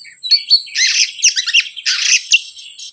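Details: Oriental magpie-robin provocation song used to stir up other birds: a few thin whistles, then dense, loud, rasping chatter in overlapping bursts, with one sharp whistle near the end.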